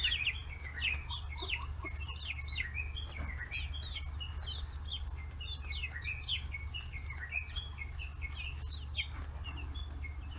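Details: A flock of 40-day-old free-range chicks swarming fish heads in Kitahiroshima, Hiroshima, Japan, chirping busily: a constant stream of thin, high, slurred peeps from many birds, with scuffling and a low background drone.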